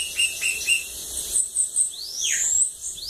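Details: Sibite at a water lagoon, singing its 'cachorro loco' song: clipped high notes repeated quickly, then a long, bright sweep rising and falling and a final upward slur.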